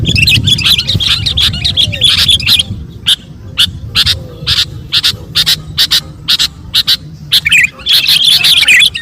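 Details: Sooty-headed bulbul performing lively song as a tutor for magpie robins: dense runs of sharp chirps early, then short bright notes spaced about half a second apart, before a final busy flurry; low rumbling noise underneath.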